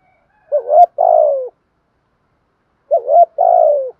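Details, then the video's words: Well-voiced decoy spotted dove cooing to stimulate trainee birds; two identical phrases about two and a half seconds apart, each opening with a short swooping rise and ending in a sustained, softly falling coo. "Chim cu gáy mồi có giọng gáy hay và bài bản, kích bổi nhanh nổi và gáy nhanh"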